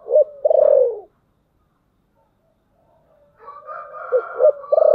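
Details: Lure spotted dove in thunder-voice coo style: a short coo and a long, loud downward-sliding coo, a silent gap, then a wavering drone with two quick coo notes and a final strong coo.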